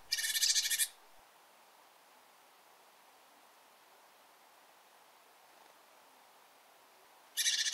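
Bearded reedling: a brief burst of high, metallic, ringing calls at the start, quiet for about six seconds, then another burst at the end.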